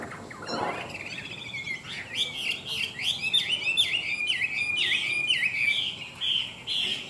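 A Chinese hwamei sings a rich, continuous run of loud whistled phrases, each note slurring up and down, repeated about twice a second.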